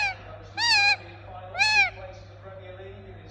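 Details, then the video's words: Pet Indian ringneck parakeet producing two drawn-out arched screeches about a second apart, with quieter low chatter and a steady background hum between them. "Relaxing Parrot Making Sound"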